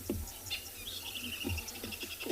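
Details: Several birds give quick, high chirping alarm notes in an excited run, yelling at a leopard that has just finished drinking right behind the safari vehicle, on an afternoon game drive in a South African private game reserve, 28 October 2020, over idling engine and murmured voices.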